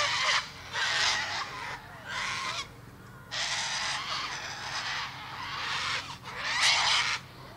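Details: Loud, raspy cockatoo screams, each lasting up to a second, come in five long noisy bursts with short gaps between them over a low background hum.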